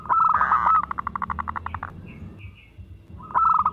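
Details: Local zebra dove, a lure singer for drawing out other doves: a dense rapid rattle of notes slowing into separate pulses, a quiet gap with faint higher notes, then a fresh burst.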